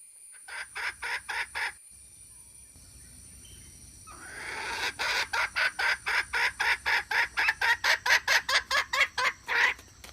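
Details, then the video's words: Hen calling, a recording used as a trapping lure, 2021: a few harsh, loud notes, a pause, then a long run of raspy, evenly spaced squawks about twice a second, growing louder. "เสืยงไก่แม่ร้องต่อเข้าดีมากsuab poj qaib seev zoo cuab heev"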